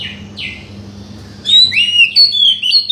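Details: Oriental magpie-robin song used to stimulate a silent bird: two soft sweeping notes, then a lively run of clear whistles and rising and falling slurs, over a steady low hum.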